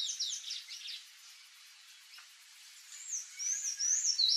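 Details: Palm tanager song from Brazil: bursts of squeaky twittering notes at the start, a quiet gap, then high sliding whistled phrases that swing up and down, louder toward the end.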